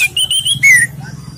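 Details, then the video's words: Orange-headed thrush, relaxed song suited to luring other birds: three short, level, clear whistles in quick succession, then a louder, longer whistle that slides downward, over a faint low hum. "ANIS MERAH bersuara santai/cocok untuk pancingan"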